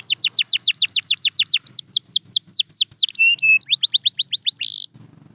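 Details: Canary song meant to get silent canaries going: a steady series of falling whistled sweeps about four per second, slowing, then short low whistles and a brief harsh buzz before quiet.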